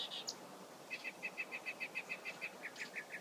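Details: Mockingbird gives a couple of high buzzy notes, then a rapid, even series of short chirps, roughly five per second, holding steady pitch before dropping slightly.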